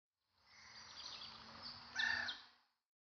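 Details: Javan banded pitta calling: a brief, clear whistled note near the end, rising out of steady hiss and faint background chirps.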